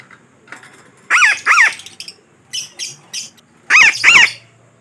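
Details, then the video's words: Parakeet lure call used for trapping birds: loud harsh squawks in pairs with a rising-falling shape, repeated in bursts, with a few fainter higher chirps between them. "Suara Pemikat Burung Betet yang Sangat Ampuh"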